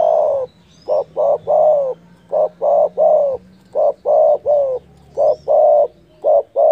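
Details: Loud spotted dove call said to provoke rival birds: phrases of a short coo followed by two longer mellow, slightly falling coos, repeated about every two seconds, with faint chirps from other birds and a low hum.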